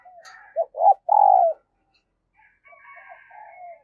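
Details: Spotted dove kept as a decoy, cooing at early morning to call in wild doves: quick short notes rising into one long falling coo, followed by softer chirping from other birds.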